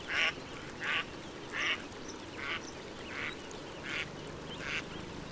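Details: Series of seven nasal quacks from a duck at a pond, repeated a little under once per second, starting loud and gradually fading.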